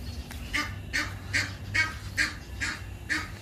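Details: Ducks giving harsh, nasal quacks, about seven evenly spaced calls in three and a half seconds, over a low steady background hum.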